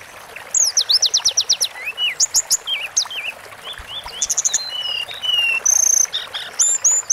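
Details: Sunda forktail song for masteran training: it opens with a fast series of sharp descending high notes, then runs into varied whistled slurs, trills and long piercing high tones, with almost no pauses.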